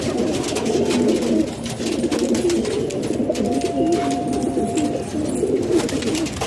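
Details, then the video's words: A group of pet pigeons kept in a house in Pakistan produces a soft, continuous low cooing murmur, with a faint steady tone and light indoor rustling. "Pigeon Sound"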